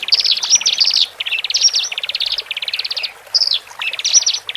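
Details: Captive Horsfield's bush larks, male and female, whose song is meant to calm newly separated birds in cages; fast ticking trill bursts about a second long with short gaps and a few sharp slurred notes.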